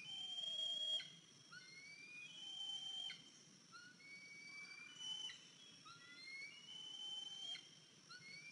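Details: Eagles at a nest where a fledged 103-day-old eaglet returned with a limp one April 2023 morning; short high whistles, some rising and some falling, given in irregular clusters against faint background hiss.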